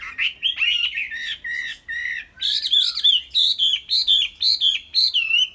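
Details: Loud song of a Chinese hwamei kept in a cage in Vietnam: a string of bright, looping whistled phrases, each under half a second, delivered one after another with brief pauses between them and some harsh edges.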